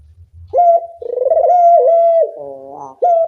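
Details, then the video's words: Dove, a loud-voiced bird used as a lure to train other doves to call: a long, clear, rippling coo that rises and holds steady, then a lower harmonic-rich note and a sharp restart of the coo. "Pancingan puter bersuara nyaring, melatih bunyi semua jenis burung puter"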